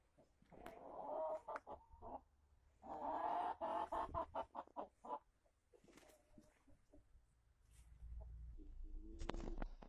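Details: A giant Brahma rooster strutting with a hen gives two drawn-out, hoarse, throaty calls between short clucks, with knocking sounds and a low rumble near the end.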